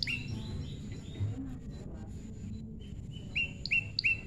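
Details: Prinia from a naturally paired, tame bird: quiet, scattered high notes at first. Then a quick run of four loud, clipped chirps, each flicking up and levelling off, all over low background noise.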